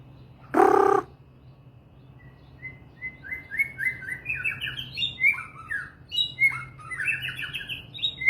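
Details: White-rumped shama (murai batu) singing: after a loud broad rustling burst, a run of clear whistled notes climbs into quick rising and falling slurred phrases, some buzzy, tumbling on without pause.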